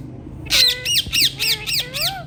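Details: Hand-tame ringneck parrot squawking loudly: five or six harsh, bright calls in quick succession, each a short arched note, about three per second, over faint room hum.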